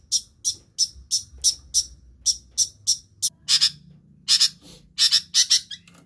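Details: Long-tailed shrike imitating other birds: evenly spaced high, clipped notes, then harsher, broader doubled chirps in short bursts.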